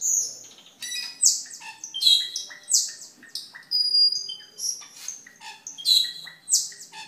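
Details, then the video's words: Cucak keling in full gacor song for masteran use: a busy, varied stream of chirps, buzzy squawks and short whistles repeated roughly twice a second for seven seconds. "Suara Burung Cucak Keling Gacor untuk Masteran dan Pikatan"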